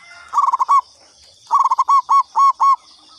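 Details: Local zebra dove (perkutut lokal) of katuranggan type, lure call for attracting doves: two bursts of rapid stuttering coos, quick notes speeding into a few longer rolling coos, with a steady insect-like hiss behind.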